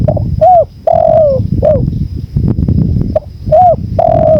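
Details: Spotted dove cooing, from a tutor recording with wind sounds: a phrase of short note, arched coo and long descending coo, repeated after a brief gap, with steady low rumbling wind and a faint whine.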